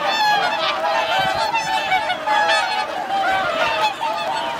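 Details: Thousands of swans, 2628 counted, wintering on Hyoko lake in Agano City, Niigata, Japan, on 8 January 2022; a thick wall of bright, nasal honks with pulsing loud phases and no clear gaps.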